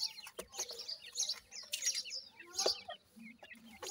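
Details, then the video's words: Dakhni teetar and Desi teetar chicks raised in captivity chirp at feeding time: bright, high, falling peeps from several birds, with a few taps. "dakhni teetar and desi teetar chicks feeding"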